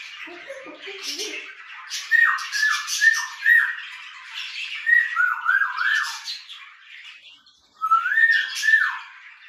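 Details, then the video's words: Pet grey parrot (Jaco) whistling among its dancing and singing: a run of short clear whistled notes, each sliding down, repeated in quick uneven bursts, with brief soft squawks at the start. "Танцы, песни, свист от Жако"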